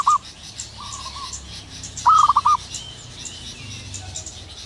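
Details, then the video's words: Local zebra dove in the wild in the morning, a single strong bout of five quick clipped coos midway, with fainter level coos before it and soft background noise. "burung perkutut lokal alam gacor penuh gairah"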